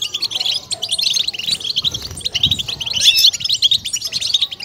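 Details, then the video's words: European goldfinch singing a song meant to stimulate and excite other goldfinches, fast liquid twittering with bright chirps and brief trills running continuously, a faint low rumble beneath. "بتبتة الحسون🔥قيمة تحفيز و هيجان"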